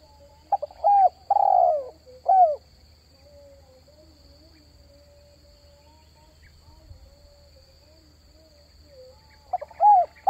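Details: Spotted dove call for luring wild doves: an opening phrase of clipped notes and a drawn-out falling coo, a long quiet pause, then another pair of coos at the end.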